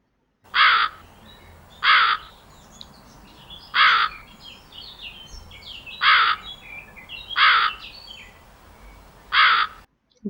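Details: Crow, called kauwa in Hindi, giving six loud harsh caws spaced about one to two seconds apart, each short and rasping, with faint chirping of small birds in the background.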